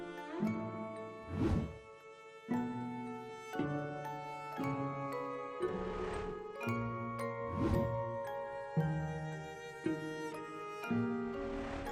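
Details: Only music is heard: bowed and plucked strings playing in a steady rhythm, with no animal calls.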